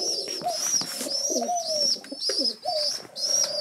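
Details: Rescued pigeon chicks indoors on their seventh day in care, waiting for breakfast: high squeaky peeps repeated in quick runs, with lower wavering nasal tones beneath.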